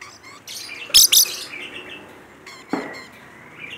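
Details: Rainbow lorikeet, kept bird described as in full voice, giving two loud harsh high screeches close together, then a lower rasping note and a short rising whistle, with faint chirps behind.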